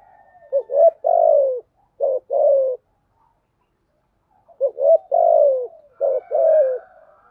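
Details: Spotted dove cooing in the 'giọng thổ' style, a patterned song used to spur decoy doves: double stuttered hoots, a long downward-sliding coo and two shorter coos, heard twice with a silent gap between.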